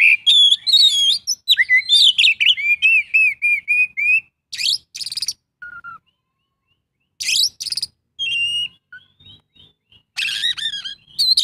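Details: Oriental magpie-robin singing a song loaded with mimicked phrases ('isian'): a rapid string of wavering whistles and chips, a lone lower whistle, then sharp scratchy bursts after a few seconds of silence.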